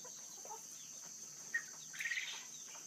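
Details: A male Manchurian golden quail (Japanese quail) during mating gives a single sharp chirp, then a quick run of three or four squeaky notes, over a steady high electrical or insect hiss.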